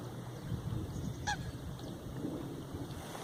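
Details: Eurasian wigeon feeding along a pond bank in the Eijsder Beemden nature reserve, Limburg, on 7 October 2024, with gadwall and coots nearby; one clear, falling whistled note, otherwise low background rumble.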